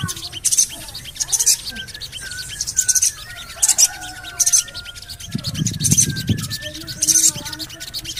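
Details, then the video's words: Calls of a Javan cochoa used as a lure to make birds sing. Piercing high chirp bursts repeat roughly every second over faint whistles, and a low rumble appears midway. "CUIT...CUIT...CUIT PANGGILAN SOGON AGAR BUNYI"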